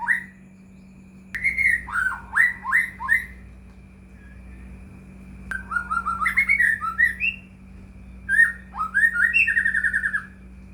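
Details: White-rumped shama song meant as a lure for lazy or quiet caged shamas: three separate bursts of lively whistled phrases with rapid upslurs and trills, short silences between, and a continuous low hum.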